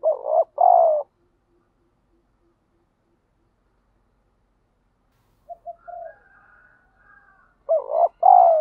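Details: Spotted dove calling to provoke fighting and stimulate decoy birds in daily training: a low cooing pair opens, then long silence, soft brief notes and faint higher chatter, and another loud coo pair at the end.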